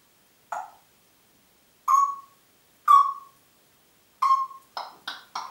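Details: Whistling Congo grey parrot at Diebach near Hammelburg, 4 April 2012: a run of short, clear, mid-pitched whistled notes, spaced about a second apart at first, then quickening into several rapid, harsher-edged notes.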